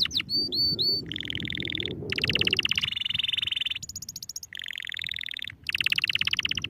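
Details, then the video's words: Domestic canary song opening with a few bright bell-like notes, then long, dense rolling trills that switch abruptly from one tour to the next, against a low background rumble. "canary singing | canary songs | canary sing | canario canto Para ensinare | كناري"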